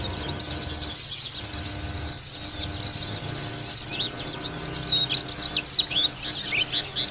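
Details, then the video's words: Local white-eye from Lawu singing in a long continuous rambling stream of rapid high twittering notes, sliding up and down, over a steady background hiss. "Pleci Dakun lokal Lawu Ngalas Buka Paruh"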